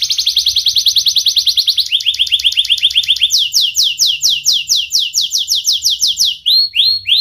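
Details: Young canary with a sharp voice singing as a training lure for young birds; rapid high trills change to slower rising-falling whistled notes, then swooping slurred phrases in a varied rolling sequence.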